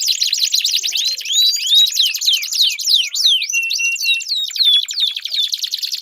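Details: Canary song for prompting a silent canary to sing, mixing rapid buzzy trills with clear descending whistles and a short level whistled note, all high and continuous.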